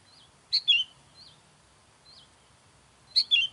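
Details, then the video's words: Two bright sooty-headed bulbul phrases, each a sharp chip and a falling whistled warble, about 2.6 seconds apart. Soft short slurred whistles fall between them. The calls are meant to lure wild bulbuls. "SUARA KUTILANG MANGGIL KUTILANG LIAR"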